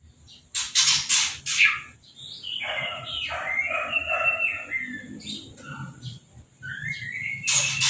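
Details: Orange-headed thrush after moulting, sprayed with a hose for its bath and uncovered, singing warbled, varied phrases that rise and fall. Loud bursts of spraying water hiss at the start and the end.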